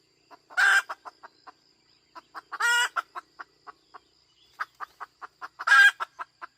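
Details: Hen cackling: runs of short, rapid clucks separated by three loud, rasping squawks spaced about two and a half seconds apart, each followed by quickening clucks.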